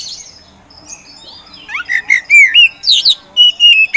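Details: Contest-kept Oriental magpie-robin of the 'poci' type in 'gacor' provocateur singing. Soft buzzy notes build into loud looping whistles, then a steady sustained whistle closes the phrase.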